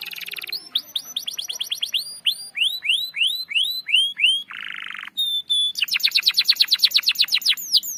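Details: Caged canary singing the long rolling 'ngerol' style, a lure for non-singing canaries: loud rising whistled slurs in quick series, a short harsh burst, a high pure note, then a rapid dense trill of repeated notes.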